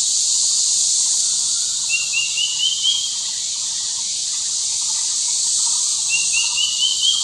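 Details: In summer lowlands of Arunachal, a square-tailed drongo-cuckoo sings two ascending series of short whistled notes, each climbing step by step, almost buried under a dense, unbroken buzzing of insects.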